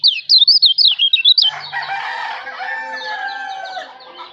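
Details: Lombok kecial white-eye sings a short, fast string of high wavering whistles lasting about a second and a half, then a background of other birds' chirps and long tones takes over; tutor song recording.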